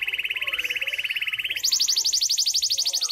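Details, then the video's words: A local canary sings a fast, even trill for about a second and a half, then jumps to a higher, thinner, equally rapid trill. "Kenari Lokal Gacor Dor"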